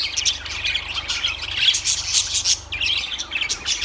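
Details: Lovebirds twitter and squeak rapidly, high and scratchy, with a louder cluster of calls near the middle and a low hum beneath.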